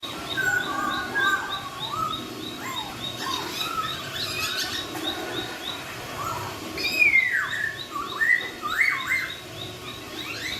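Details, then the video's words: Melodious laughingthrush song meant to make other laughingthrushes answer: loud, clear slurred whistles rising and falling, bunched into phrases, with a steady high ticking series repeating in the background. "KICAUAN POKSAY YG MERDU MEMBUAT POKSAY LAIN LANGSUNG NYAUT"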